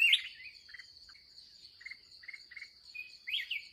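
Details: Wild, fiery red-whiskered bulbul at the final trapping session of the day; loud opening warble, a series of short stuttered note clusters, then another bright phrase, all over a constant insect hum.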